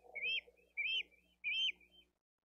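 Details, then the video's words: Smaller bald eagle chick begging at the nest as the female feeds the eldest chick fish, Dade County live cam, April 2023. Three strong high whistled notes, each rising then dropping, spaced about 0.6 seconds apart, with a low background hum. "LITTLE ONE CALLS"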